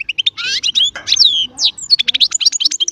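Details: European goldfinch, a small Baster, sings a fast chardonneret phrase of bright chirps, sliding whistled notes and short trills packed into three seconds.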